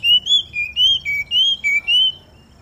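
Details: Oriental magpie-robin (kacer) singing in the morning dew, song used to prompt other magpie-robins to sing; eight clear whistled notes in quick succession, alternating between higher and lower pitches like a swinging melody.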